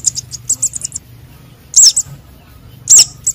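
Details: Luring calls of sunbird chicks (konin and sogon): a quick run of soft, high chips, then two loud, piercing slurred squeaks about a second apart, over a low hum.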